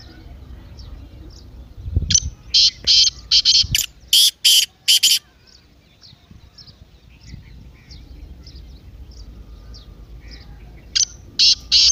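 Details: Partridge calling, used to stir a quiet bird into calling: repeated harsh, grating, broadband notes in a quick rhythmic series, pausing, then resuming with a few more rasping bursts, faint small-bird chirps between.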